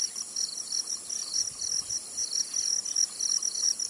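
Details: In Tainan, Taiwan, a zitting cisticola gives quick, thin, high-pitched notes in a rapid series over a constant buzzing insect chorus.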